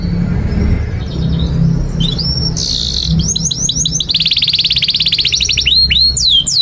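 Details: Canary song meant to teach young canaries to sing: varied high whistles and rising chirps, quick repeated hooked notes, then a dense buzzy trill and more chirps, with a steady low hum underneath.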